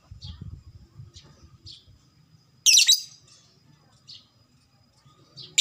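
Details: Lovebird, fighter type, lure sound for quick ngekek chattering: one loud harsh screechy burst stands out among a few soft high chirps, with low murmuring in the background.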